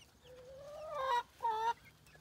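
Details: Rooster crowing: a long harmonic note that rises slowly over about a second, a short break, then a shorter, steady second note, over a quiet background.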